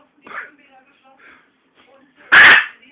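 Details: A pet blue-and-yellow macaw talking chatters in short, hoarse, speech-like bursts, then gives one loud, rasping squawk near the end.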